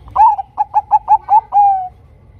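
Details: Bangkok-type zebra dove used as a lure to get other zebra doves singing, giving a quick run of about seven short, bright coos that ends in a longer, falling drawn-out note.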